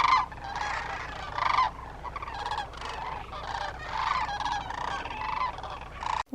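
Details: Hundreds or thousands of migrant sandhill cranes wintering near Willcox, Arizona, give a constant chorus of rolling, trumpeting calls that overlap and swell in waves every second or so.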